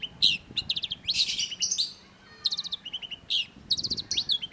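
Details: Long-tailed shrike song used as a lure for caged songbirds: rapid bursts of high, sharp chirps and trills, with some notes falling in pitch, coming in dense clusters separated by short pauses, over faint low background noise.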